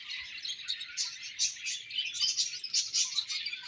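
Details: Several budgerigars chirp together in a lively, bright, high chatter, with rapid pulsing bursts of squeaky notes running throughout.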